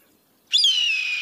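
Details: Red-tailed hawk call: one hoarse, raspy scream that starts high and slurs downward, held for nearly a second; no other sounds.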